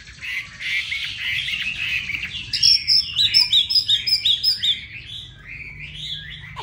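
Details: Hà Nội caged Chinese hwamei singing: a noisy, scratchy phrase, then a rapid series of high repeated chipping whistles about five per second, ending in lower warbled notes; faint background hum.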